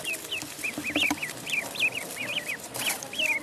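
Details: Pond duckling calling with a quick series of piercing, up-and-down whistled peeps, roughly three or four each second, fairly loud and continuous throughout.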